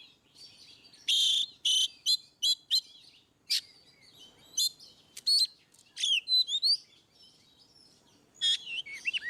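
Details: Ngeplong-style song of an Oriental magpie-robin, used to coax rarely singing birds into response: loud buzzy rasping bursts separated by pauses, followed by quick looping whistled notes and a few downslurred phrases near the end.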